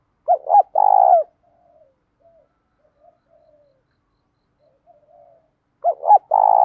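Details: Spotted dove cooing in the 'giọng đồng pha tí thổ' style, used to train and provoke doves; a double hoot and rolling coo, then soft low coos, then a fresh phrase starting about five and a half seconds later.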